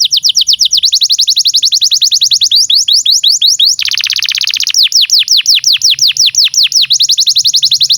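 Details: Canary singing a long master song meant to teach young birds and restart silent ones: rapid chains of high downward-sweeping notes, broken by a short buzzy rattle partway through, then more fast sweeping trills.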